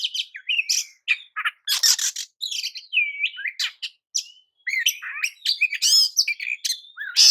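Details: Oriental magpie-robin singing a song said to excite rival magpie-robins, a varied stream of rich whistles, down-slurred notes, harsh rasping bursts and trilled high phrases with hardly a pause.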